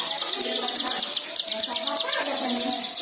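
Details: White-eye song played as a lure to prompt other white-eyes to sing: rapid high chirps repeated about three times a second, steady and unbroken, over faint lower tonal sounds.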